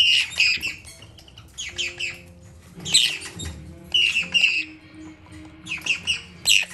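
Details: Hand-reared red-capped parrot chicks, four together in a shop: rough, buzzy squawks in uneven clustered bursts about once a second, some wing flutter and faint low indoor hum.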